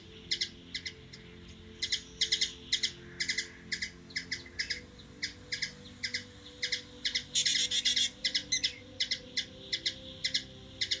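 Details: Hummingbird in Washington DC, USA, giving short, sharp chip notes in quick irregular series, about two per second, with a brief dense burst of chatter near the eighth second.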